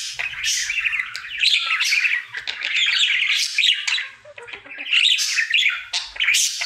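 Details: A happy pet male budgerigar keeps up his daily singing: rapid scratchy chatter, buzzy squawks and squeaky chirps in long runs, dipping briefly quieter near the middle before resuming.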